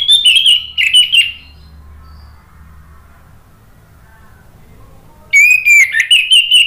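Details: ['Orange-headed thrush singing, used to prompt birds to join in. Two quick whistled phrases open the recording, followed by about four seconds of quiet, then a burst of loud, varied whistles.']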